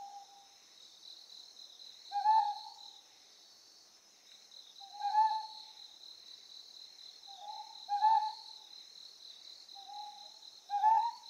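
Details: Ryukyu scops owl on Amami Oshima, Japan, giving short hoarse hoots about every three seconds, each a slightly rising low note with faint overtones, over a steady high insect chorus.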